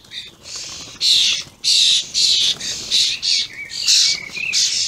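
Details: Juvenile and adult common starlings calling loudly, recorded on 28 May 2016: rough, wheezy screeches about a second apart, plus a couple of thin whistled notes near the end.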